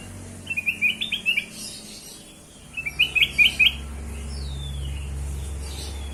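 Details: Kutilang emas, the black-crested bulbul, used as a lure for other birds: two short bursts of rapid, chattering whistled notes about two seconds apart, then a faint thin note, over a steady low hum.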